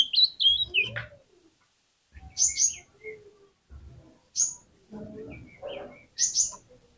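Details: Oriental magpie-robin song used to draw other magpie-robins into singing: several sharp, high whistled notes and short descending phrases in separate bursts, with softer lower twittering between them.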